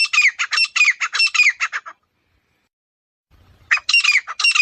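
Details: Grey francolin (Francolinus pondicerianus) calling outdoors: a quick run of about ten loud, harsh, grating notes, then a short silence with a faint low rumble, and a second run begins.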